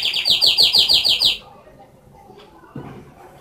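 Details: Canary giving a fast series of seven or so bright repeated whistled notes for over a second, then falling silent with only faint background noise.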